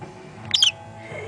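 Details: Pet cockatiel, a male, kept indoors while its owner talks to it and calls it a pretty boy; a single brief, bright chirp with a quick double note sits near the middle, surrounded by quiet room tone.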